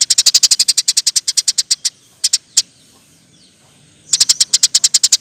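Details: Eurasian tree sparrow song serving as a training model for other birds: long rapid series of dry, high clicking chirps, a pause with a few isolated notes, then another fast run.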